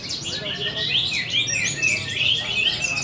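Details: A four-month-old orange-headed thrush pours out quick, sharp rising and falling whistles and twittering notes in a continuous loud burst, over a low background murmur.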